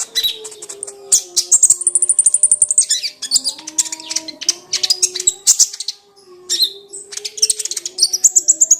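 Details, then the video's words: Song of a Crimson sunbird, known locally as kolibri ninja, meant to spur a quiet sunbird to sing. Shrill, fast rattling trills and squeaky high notes repeat in bursts, with a faint wavering low drone beneath. "AMPUH memancing bunyi kolibri ninja MACET dan MALAS | pancingan konin TERBAIK"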